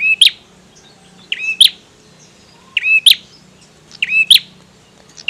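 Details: Bar-winged prinia, a male in full song. Four or five repeated phrases, roughly every 1.3 seconds, each pairing a harmonic buzz with a bright, piercing high note. A steady low hum sits in the background.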